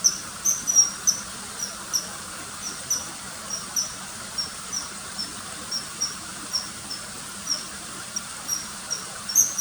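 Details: Common kingfisher call track laid over river footage of a bird hunting small fish, early September 2020: high, piercing whistled notes in a loose repeated series, strongest at the start and end, with steady hiss.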